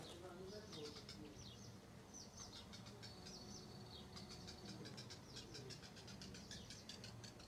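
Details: A Tree pipit (Anthus trivialis) that nested on a terrace in summer 2016 and raised four chicks sings high, rapid runs of repeated ticking notes that break into thin trills, over a steady low rumble of background noise.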